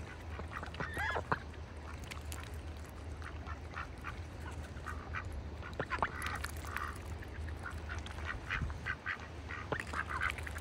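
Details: Farm ducks in a bucket during winter: scattered soft quacks and brief nasal calls, some in quick pairs, spread across the recording above a constant low mechanical drone.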